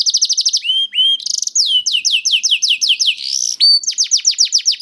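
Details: Juvenile canary singing, played to coax silent canaries into song: quick series of descending whistled notes, brief rising slurs, then repeated sweeping downslurs in steady bursts, bright and high.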